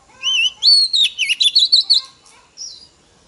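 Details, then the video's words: Female Oriental magpie-robin singing to stimulate males: a loud whistled phrase opening with a low rising slur, then a fast run of about eight sharp, bright notes jumping up and down, and a faint trailing note after a pause. "Choè than mái kích trống hay nhất"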